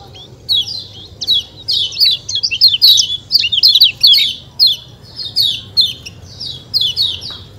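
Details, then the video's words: Kecial kuning white-eye in a lively 'ciak ciak' chatter: a near-continuous string of sharp, high, falling chirps, denser in the middle, with a soft low background hum. "ciak ciak jos kecial kuning suara alam"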